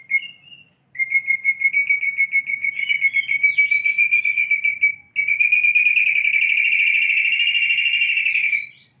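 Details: White-rumped shama practising canary song: a long, fast, rolling trill held on a fairly even pitch for several seconds, then a brief break and a second, louder, rattling trill that runs to the end.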